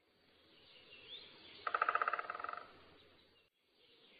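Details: Crow at sunrise over a field in Zealand, Denmark, September 2010: one harsh, rattling burst of about a dozen rapid nasal notes lasting about a second, over a soft rural background hiss.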